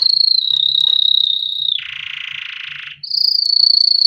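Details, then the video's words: Canary singing to train chicks: a steady high whistled roll, dropping into a lower, broad buzzy rattle for over a second, then returning to the high rolling trill. "Canary Singing - Most Spectacular HD Video Training For Chicks"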